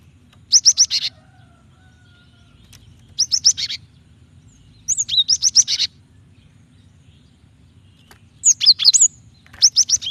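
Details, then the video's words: Caged-style lure call of a female cinereous tit calling the male to provoke singing: five bursts of rapid high chirps, some buzzy, some whistled and slurred, repeated every one to two seconds over ten seconds. "Gelatik betina gacor memancing bunyi"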